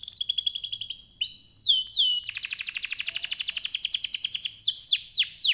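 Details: Canary in full lively song, called gacor, used to lure other canaries into singing: rapid trills of repeated downward notes, high whistled glides and buzzy rolls switching phrases every second or two.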